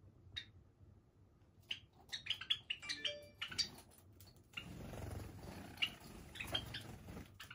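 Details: Java sparrows from a flock of over thirty kept free-flying in a room indoors, giving short, sharp chirps in loose bursts, some closely spaced, then a broad rushing noise with scattered chips over a low room hum.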